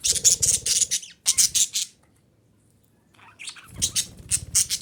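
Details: Female budgerigar call for stimulating breeding: fast runs of grating high chirps and squawks, a burst, a second burst, a one-second silence, then a soft warble and another rapid harsh series.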